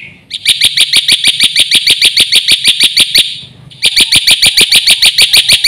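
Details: Black-winged myna in vigorous full fill-in song, kept as a tutor for other mynas: rapid runs of sharp, ringing high chirps, a brief pause near the middle, then the chirping resumes just as fast.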